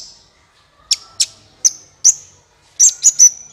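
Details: Olive-backed sunbird, recorded clearly as a lure for trapping, gives spaced, piercing high chips with thin level tails, ending in three quick ringing notes.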